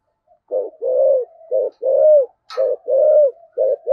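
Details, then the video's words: Spotted dove, thổ voice, cooing to draw responses from wild doves: steady alternation of brief low coos and longer drawn-out wavering coos, one brief click midway, otherwise quiet background. "cu gáy giọng thổ thúc gù cực đỉnh, tiếng chim cu gáy kích bổi hiệu quả"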